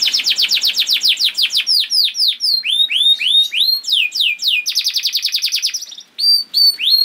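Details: Canary masteran song meant to make other canaries sing: a fast run of steep downward whistles, varied swooping phrases, a rapid high trill, then a few clear upslurred notes after a short pause.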